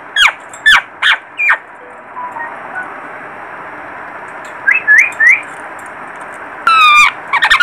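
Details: Baby parrot giving short, harsh harmonic calls in bursts. Four quick squawks open the clip, then three rising chirps near five seconds. A loud, drawn-out rasping squawk comes near seven seconds, followed by a few more calls over a quiet hiss.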